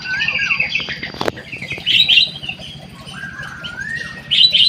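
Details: Munia singing buzzy high notes and a long, wavering whistle that rises slowly, with a sharp tap early on and a constant low hum behind.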